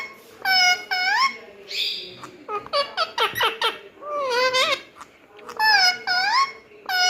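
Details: Talking Indian ringneck parrot kept as a pet, mimicking human words: rapid squeaky, shrill syllables with rising and falling inflection, delivered in quick runs over about seven seconds, with a busy indoor background.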